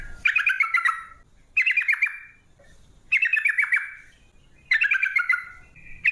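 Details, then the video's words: Trucuk (Yellow-vented bulbul) singing a long 'ropel' song meant to lure other bulbuls into song: four bubbly bursts of quick descending chattering notes, each about a second long, separated by short pauses. "TRUCUK Gacor ROPEL PANJANG pancingan trucuk agar BUNYI"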